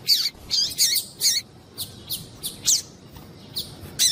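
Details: Female Papa-capim (Double-collared Seedeater) calling, used to excite the male into singing: short sharp high chirps, buzzy and repeated in quick bursts, with quiet gaps between, over faint background hiss.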